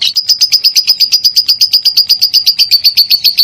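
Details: Minor-type lovebird singing, used to get other lovebirds to sing: quick, evenly spaced, high ringing chirps, roughly four each second, holding one pitch throughout.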